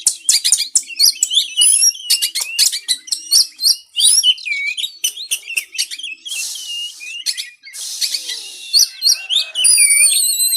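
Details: White-rumped shama song to stimulate caged birds to sing: long fast sequence of chips, twittering trills and swooping whistles, interrupted by two harsh hissing buzzes, closing with clear high whistles.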